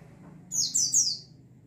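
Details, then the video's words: White-eye flock in a lure recording meant to coax caged birds into wild-style singing: a short burst of three high, slurred, descending chirps, very sharp and thin, over a faint low hum. "TERAPI PANCINGAN BURUNG PLECI OMBYOKAN BIAR CEPAT NGALAS"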